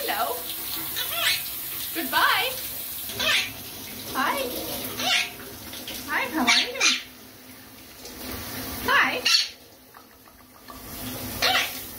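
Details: Pet monk parakeet (Quaker) having a shower, singing and talking, chatters in short, raspy, speech-like bursts about once a second, over the steady hiss of running water.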